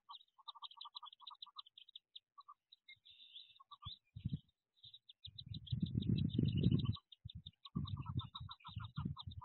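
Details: Wood duck ducklings in their nest box on 2023 jump day: bursts of quick, high peeps separated by short pauses, with a stretch of loud low rustling and scrabbling midway.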